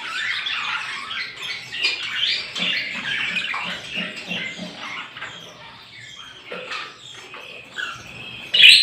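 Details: Small birds chirping together in the morning, a dense chattering of high twittering notes that fades toward the end, with faint low pulsing sounds in the background and a sharp click at the close.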